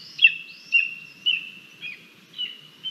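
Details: Lesser Spotted Eagle chick, a hungry female, begging at the nest on a live cam on 28 July 2022 while fed a frog by her mother and a vole by her father: piercing, slurred whistles repeated steadily, roughly twice per second.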